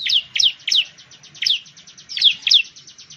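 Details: Ciblek, or bar-winged prinia, mixing loud, sharp downslurred chirps with a continuous fast, buzzy pulsing trill running through the whole phrase.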